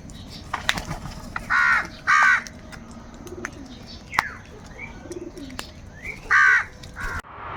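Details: Angry crows caw during a fight over food, three loud harsh nasal caws in two bursts, a pair close together then one more after a pause, over a low constant background hum and scattered clicks.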